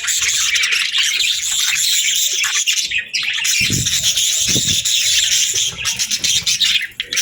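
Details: Pet budgerigars chirping in a dense, continuous high warbling chatter from many birds at once, with rapid overlapping twitters and squeaks, brief dips in loudness near three and seven seconds, and soft low thumps underneath.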